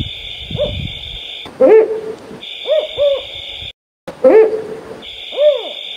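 Mottled wood owl giving deep, arched, slightly quavering hoots in short bursts, with a steady high insect-like drone between the calls.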